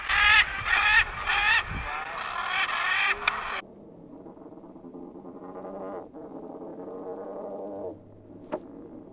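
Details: Wild Military Macaws, heard but not seen, in their natural habitat in the Sabino canyon, Santa María Tecomavaca, Oaxaca, Mexico, give loud, harsh, raucous squawks in quick succession for about three seconds, then a man's voice takes over.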